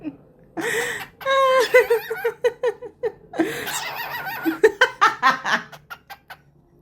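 A cockatiel imitates human laughter with bursts of rhythmic, chuckling hoots.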